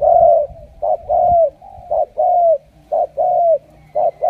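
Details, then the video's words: Wild-caught spotted dove, called a super cooer, giving its coo; a short note then a drawn-out slurred coo, repeated about once a second in a steady pattern over quiet background. "Tuyển đồng siêu gù"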